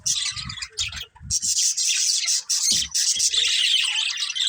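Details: Pet budgerigars producing long, harsh, buzzy high squawks and rapid chatter in near-continuous bursts, with a few low knocking sounds early on.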